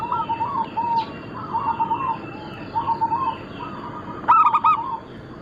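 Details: Local zebra dove, a singing bird, cooing in a repeated series of soft, low, rolling coos, each phrase about a second long, over steady background hiss and noise, with a brief sharper clatter near the end.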